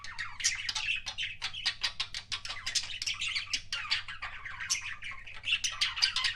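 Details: Pet budgie giving kissing sounds, strings of quick clicks and scratchy chirps packed tightly, with brief rising whistled notes mixed in, continuous over a low indoor hum.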